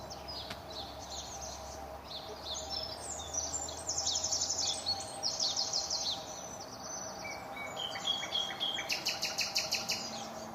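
A nightingale sings varied, rich phrases: rapid repeated notes, buzzy trills and clear whistles, each changing to the next, over a steady low hum.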